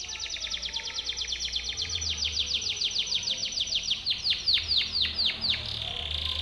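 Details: Timbrado canary training song: a long continuous series of rapid high notes, gradually slowing into broader downswept notes toward the end, with faint low hum beneath.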